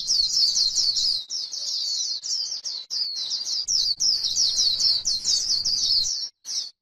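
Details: Grassland white-eye in 'líu' style: an unbroken, shrill run of quick chirping notes, slightly rising and falling, ending with a brief pause and a final burst.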